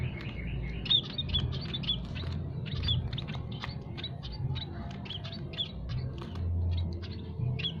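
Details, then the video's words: Peking and Javan munias in an aviary chirping nonstop: dense, overlapping short high chirps and tweets from several birds, with a steady low rumbling hum underneath. "burung emprit peking dan jawa berkicau tiada henti"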